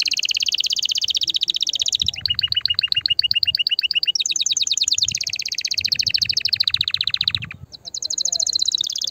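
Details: Canary song to stimulate the female: long unbroken rolls of rapid notes, switching between a high buzzy trill, a lower pulsed trill and a descending rattle, with faint low rumble beneath.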